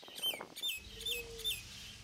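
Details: Common myna (Acridotheres tristis) repeating a bright, clipped call roughly every half second, each note sharp and slightly downslurred, with a low steady hum beneath.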